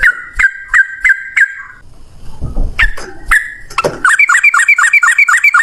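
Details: Yellow-vented bulbul's rapid fighting song, used as a lure for other bulbuls. Several bubbly phrases give way to a pause with low rumbling noise, then a fast, higher chattering series of twittering notes follows.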